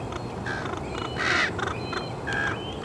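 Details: Common raven mother in the Verdugo Mountains near Los Angeles, June 2021, calls hoarse and nasal as though saying 'watch me', teaching begging fledglings to forage: several short calls, a louder drawn-out one midway, over steady hiss.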